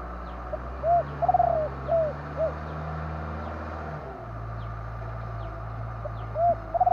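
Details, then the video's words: Spotted dove repeating its gentle phrase of rounded coos with a quavering middle note. A low vehicle-like rumble fades, then the next phrase begins. Faint periodic clicks continue throughout. "นกเขาใหญ่ !!! 2 กุ๊กคูอ่างจัดเชลยคารม"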